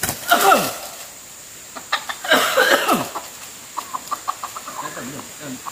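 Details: Red junglefowl decoy used to lure wild junglefowl: two harsh, rasping bursts of clucking followed by a run of short, evenly spaced clucks, with a steady high insect hum in the background.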